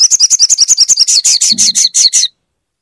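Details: Crimson sunbird meant to prompt a quiet bird to sing: a loud, rapid high trill of repeated notes, the later notes slower and harsher, running about two and a half seconds.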